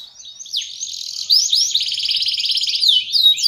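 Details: Kept canary from Ciamis singing in full voice, a continuous high trilling song with rapid rolled notes, buzzy repeated tours and upward sweeps, loud and unbroken.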